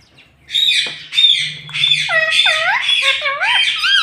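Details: Pet parrot talking, with words such as mummy, papa and mitthu; dense, loud chatter of harsh and harmonic syllables, several swooping down then up like spoken words.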